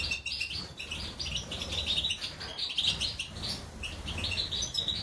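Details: European goldfinch of the Major type from Germany singing a fast, tinkling twitter of bright, jumbled high notes without pause, over a low background rumble.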